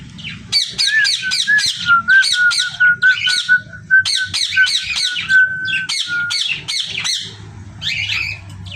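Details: Rapid run of short, scratchy parrot squawks, roughly two per second for most of nine seconds, laid over a thin steady whistled tone that fades near the end.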